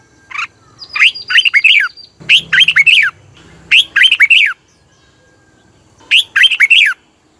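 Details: Red-whiskered bulbul song, played to excite caged birds: three bursts of rich, bubbly whistled notes, each phrase of four to six quick rising-falling syllables, with a thin high whistle and a faint low hum in the background.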